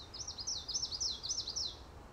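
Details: Common yellowthroat (Geothlypis trichas) perched on cattails in Montreal, Canada, gives a fast series of about five high, looping, chattering phrases in roughly two seconds, loud and clear above faint low-pitched environmental rumble.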